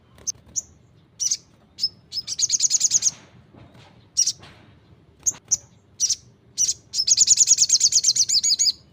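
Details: Crimson Sunbird in energetic 'gacor' song: high, piercing chips and two long, fast, pulsing trills, the second building toward the end.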